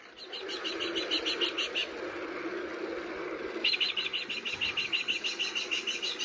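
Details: A New Zealand falcon call, played from a New Zealand bird-sounds button display, gives two bursts of rapid, harsh, high kek-kek-kek chattering over a low background murmur of room noise.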